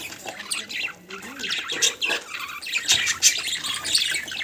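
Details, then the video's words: Budgies give a busy warble of raspy squawks and quick high chirps, rising into louder scratchy bursts during the second half. "Cute budgies sound"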